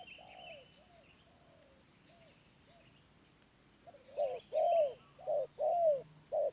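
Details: Wild spotted dove with a medium voice. Soft, distant coos open the recording, then louder paired coos arrive, a short one and then a long falling one. Light chirping from small birds is audible.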